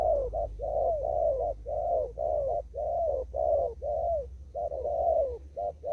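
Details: Wild spotted dove, Kon Tum, Vietnam, cooing almost continuously in đồng thúc gù style, a rapid run of short notes and mellow downward-curving coos with barely any pause between them.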